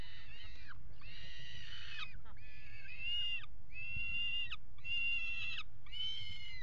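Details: Peregrine falcons mating on the nest box edge at the Axel water tower, Netherlands, 5 February 2018. Six loud, harsh, harmonic wails of under a second each repeat in quick succession, each ending in a downward slur, over low background rumble.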